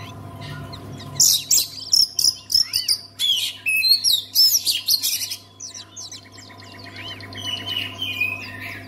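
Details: Song of an Oriental magpie-robin, used to get other magpie-robins singing: a rapid run of high whistles, clicks and slurred notes after a quiet opening, easing into softer chattering phrases, with a constant low hum behind.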